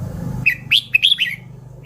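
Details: Red-whiskered bulbul singing a short burst of bright, warbled chirps rising and falling in quick notes, over a soft low hum.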